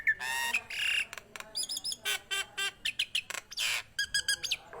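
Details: Actively singing Nias hill myna giving loud rasping squawks alternated with ringing whistled notes and quick stacked chirps in rapid succession, some whistles sliding upward.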